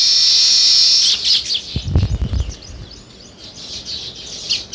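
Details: Sparrows giving a loud, dense burst of high chirping at the start, then scattered chirps. Low thumping knocks interrupt the sound around the second second.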